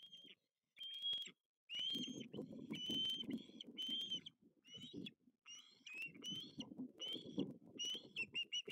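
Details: Young ospreys at a nest in Lipka, 6 August 2023, begging while a second fish is brought and fed to the second youngster: thin high piping whistles, short and repeated irregularly, over steady rustling and wind noise.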